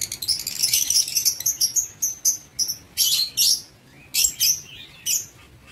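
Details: Lovebirds in an aviary, recorded 19 September 2023, calling in high, squeaky, rasping chirps, some gliding up and down, repeated in quick bursts with short pauses.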